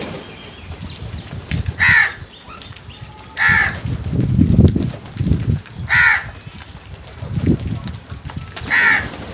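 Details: Crows in a group attacking food, giving four harsh caws at irregular intervals, with low thumping and murmuring sounds between the calls.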